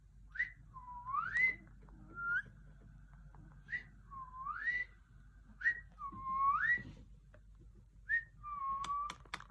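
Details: Pet parrot indoors during its daily routine, whistling a repeated phrase: a short note near the top, then a clear upward-sliding whistle, the pattern recurring about every one and a half seconds, ending with a few sharp clicks.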